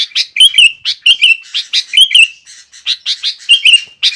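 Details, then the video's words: Vigorous sooty-headed bulbul song used as a master for young birds and to goad rivals into singing: crisp chirps mixed with bubbly, warbled slurs, delivered in short clusters with one brief pause midway. "Suara Burung Kutilang Gacor PANCINGAN DAN MASTERAN || Burung Kutilang Lain Emosi Dan Ikut Gacor"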